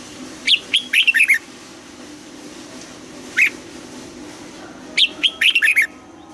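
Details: Red-whiskered bulbul morning song used to train birds to sing, in a mature wild-bird double-note style: three short bursts of bright, chirpy whistled notes, each phrase quickly rising and falling, separated by pauses of about two seconds, with a faint low hum beneath.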